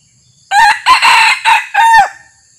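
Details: Red junglefowl crowing during decoy hunting in Thailand: a loud, harsh crow in about five bursts over one and a half seconds, the first and last drawn out with a steady tone, ending abruptly, over a faint insect hum.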